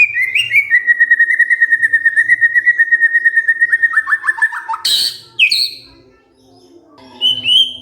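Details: A white-rumped shama, roused into singing back, gives a long fast pulsing trill that slowly drops in pitch and stutters. A loud harsh burst follows, then a high whistle, over faint low background tones.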